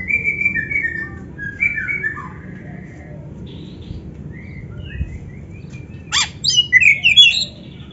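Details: Kacer (Oriental magpie-robin) heard more softly in a tutor recording for training kacer to sing: a few drawn-out plaintive whistles, a long quiet stretch, then a sudden burst of sharp, high twittering phrases near the end.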